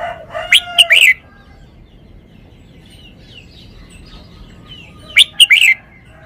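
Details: Red-whiskered bulbul performing its song style: a quick, loud phrase of sharp, chirpy whistles at the start and again after about four seconds, with faint distant bird notes in the pause.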